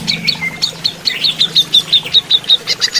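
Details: Greater green leafbird during running-water therapy, singing a few slurred whistles and then an evenly spaced run of crisp high tick notes, about three per second.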